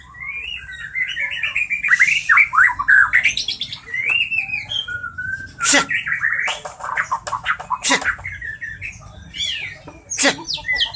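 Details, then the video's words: White-rumped shama of the Medan type, a caged bird, in a varied song of clear whistled phrases, rising and falling slurs and quick warbles, broken by a few sharp harsh bursts; steady low hum beneath. "Terapi Murai Batu Medan"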